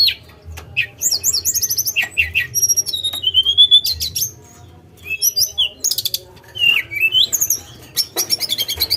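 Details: Tledekan gunung song of swift looping whistles, dense high trills and sharp chirps, with a quiet pause midway before the song resumes; low hum in the background.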